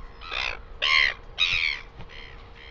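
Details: Northern royal albatross in New Zealand on 12 August 2020, giving three strong, raspy, croaking blasts in quick succession, followed by softer, trailing notes.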